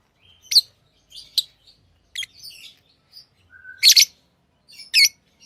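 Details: Pet lovebirds chirping and twittering, scattered high sharp notes and a brief flat whistle leading into a loud harsh screech, indoors and otherwise quiet.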